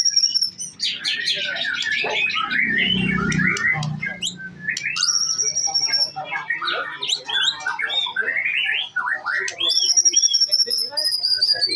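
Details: Young white-rumped shama in full song, pouring out fast, varied whistles, trills and scratchy chatters, with high pure notes recurring and a short low murmur partway through.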